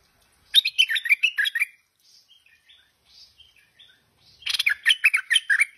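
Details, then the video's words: Lively tame stripe-throated bulbul sings two rapid bubbly phrases of chattering, slurred notes, separated by soft scattered twitters. "Merbah Lekir Gacor Jinak"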